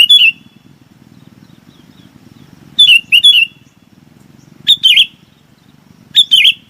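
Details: Sooty-headed bulbul calling the flock, giving short bright two- or three-note phrases that dip downward, four bursts spaced over several seconds with quiet gaps and a faint low hum beneath.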